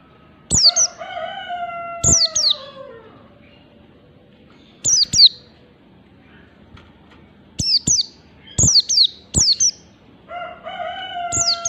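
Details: Oriental white-eye of the wild forest type ('ngalas'). It gives sharp, very high, downward-slurred chirps in quick pairs and triplets, with pauses of a few seconds between bursts. A lower, drawn-out harmonic call sounds twice underneath.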